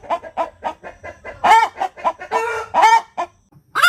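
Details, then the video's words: Indonesian village chicken hen cackling 'tok tok petok' after laying an egg. A run of rapid staccato clucks breaks into two loud, buzzy stretched cries, then a final rising note. "Suara Ayam Kampung Betina Tekotek "TOK TOK PETOOOK""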